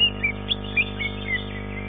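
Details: Greater green leafbird (cucak ijo) at an Indonesian songbird contest, placing third in its class, gives quick, bright whistled notes, about six sharp chirps in under two seconds, over a steady low electrical hum.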